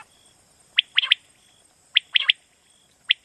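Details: Common quail calling at night: crisp, high three-note phrases, each a quick clipped triplet, repeated roughly every second over a faint steady background tone.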